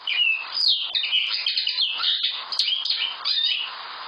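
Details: Common linnet in full twittering song: fast varied chirps, trills and nasal buzzy notes strung together for four seconds, with a couple of sharp high ticks mixed in.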